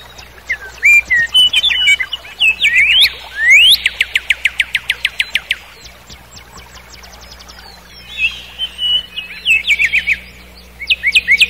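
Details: Nightingale in a forest at night delivering varied phrases: twittering notes, then loud rising sweeps and a long run of sharp clicking repeats, a quieter gap, and further chirped flourishes over a faint low hum.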